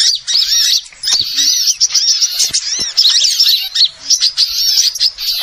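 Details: Noisy mass of small-bird chirps from a lure recording for bird trapping; thin, high, tumbling twitters overlap constantly, dipping briefly around the one-second mark.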